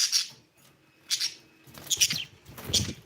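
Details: Budgerigar chirping: four short, harsh, scratchy chirps spaced about a second apart, the later ones buzzier and doubled, with light rustling between them.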